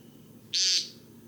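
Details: An American Woodcock, a camouflaged bird more often heard than seen, gives one short, buzzy, nasal peent lasting about a quarter second, harsh and high, over a faint low background hum.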